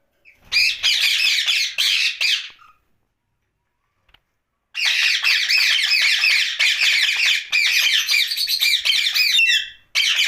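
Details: Rose-ringed parakeet talking at night. Two short rasping phrases are followed by a quiet gap. Then a long, continuous stretch of rapid, scratchy jabbering runs to the end.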